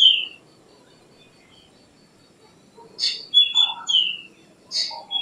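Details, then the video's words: Black drongo song: a descending whistle opens, silence follows, then a phrase of buzzy bursts, sharp whistles and lower warbling notes, with a faint steady background hiss. "Black Drongo Song ! Black Drongo Call ! Black Drongo Sound ! Black Drongo Vocals ! Voice ! Singing"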